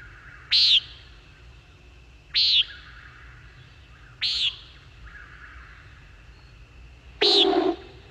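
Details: Common nighthawk (Chordeiles minor) at night: four short, buzzy, nasal peent notes about every two seconds, the last fuller with a lower rushing edge, likely the mechanical sound of air through the wings as a male pulls up from a dive.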